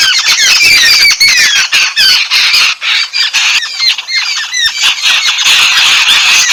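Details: Yellow-billed babblers, known in Sri Lanka as demalichcha, calling while bathing: a loud, dense chorus of harsh, squawking chatter with rapid overlapping notes and almost no pauses.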